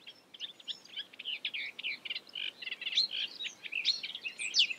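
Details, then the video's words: A marsh warbler copying other birds, a little distant, over a hiss of background noise: quick, jumbled notes that grow louder toward the end with sharp upward flicks. "A marsh warbler (Acrocephalus palustris) imitating other birds"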